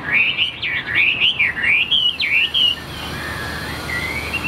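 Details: Tamed Chinese hwamei in a cage delivering a loud, rapid run of looping whistled notes sweeping up and down for nearly three seconds, followed by softer drawn-out whistles.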